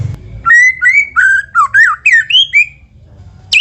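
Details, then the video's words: White-rumped shama lure song for coaxing other shamas into frequent singing: a clear series of fluting whistles, each slurred up or down, delivered in a quick even sequence. "PANCINGAN MURAI BATU MEDIA RJB untuk burung murai batu AGAR CEPAT GACOR"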